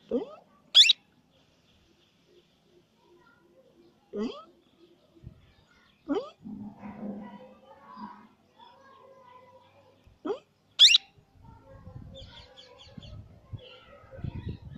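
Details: Plum-headed parakeet calling: two loud, shrill, sharply rising calls, one near the start and one after ten seconds, plus several softer, shorter upward-sweeping notes, with faint low murmuring and rustling between them.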